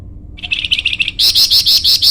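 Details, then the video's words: Flamboyan bird singing, used for luring and for training other birds: a run of quick high chirps that steps up into louder, brighter, evenly spaced buzzy notes, about eight per second. "masteran burung flamboyan"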